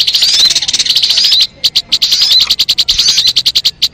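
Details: Crimson sunbird lure sound: a dense, high, buzzy chatter for over a second, then quick, sharp chips mixed with short twittering trills.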